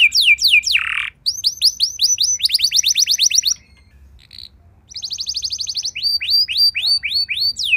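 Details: Canary song used to set other canaries singing: quick downslurred whistles, a harsh buzz, rising chirp series and a fast rolling trill, a short near-silent gap, then more trills and upslurred chirps.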